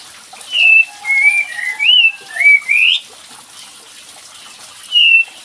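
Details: Kapas tembak bird lure for a quiet bird: several loud, clear whistled notes, some rising steeply, then a long gap and one final whistle, with a hissing background.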